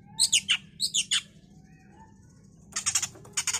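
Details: Oriental magpie-robin, a provoking bait recording for agitation and singing: a rapid series of loud, grating notes, a quiet pause with a soft low tone, then two clusters of rapid buzzy rasps.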